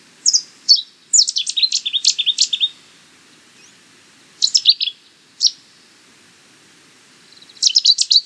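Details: Cetti's warbler singing loud, abrupt phrases of fast staccato notes, one long run then shorter bursts separated by silences of a few seconds, with a final rapid outburst.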